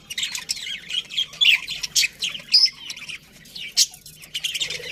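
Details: Budgerigar colony in a cheerful mood, many birds giving quick high warbling chirps in clustered bursts, some short clear whistled notes standing out from the busy chatter.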